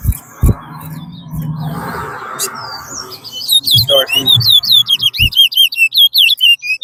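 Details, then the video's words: Twa-twa, the chestnut-bellied seed finch, in a singing race at Rosehall, Guyana, two birds competing. After murmured voices and knocks, a fast run of bright, looping whistled notes sets in, repeated about two to three times a second. "TOWA TOWA RACE"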